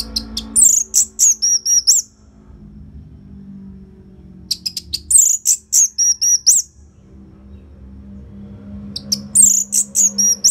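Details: Orange-headed thrush from Bali, Indonesia, used to prompt caged birds, delivering three loud bursts of rapid high chirps and slurred whistled notes with silent breaks, over a faint steady low hum.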